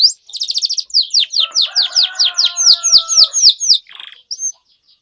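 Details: Canary in full song, played as a lure to get silent canaries singing again: a fast buzzy trill opens, then a steady run of about a dozen loud downslurred whistles, ending in a short rasp and a clipped high note.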